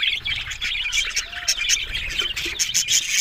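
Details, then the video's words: Several budgerigars keep up rapid, twittering chatter of squeaks and short whistles, dense and overlapping, with light tapping noises in the background. "Beautiful Talking Budgies Australian Parrot Sounds"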